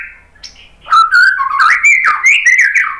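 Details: Faint soft notes open this White-rumped shama song, which is aimed at getting other birds to sing. A loud run of rapid, warbling whistled notes that rise and fall follows.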